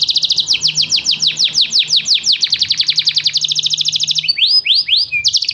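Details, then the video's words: Loud canary song of fast repeated downswept notes, speeding into a tight high trill, then breaking into a few slower, rising-falling whistled slurs before another quick trill begins. "kenari gacor"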